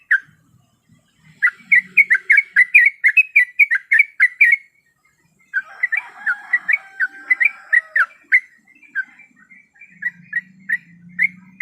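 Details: Lure call of a female sooty-headed bulbul in breeding condition summoning a male: dense bursts of quick squeaky chirps, a short silence, then another lively chirping run ending in sparser notes, a faint low hum at times.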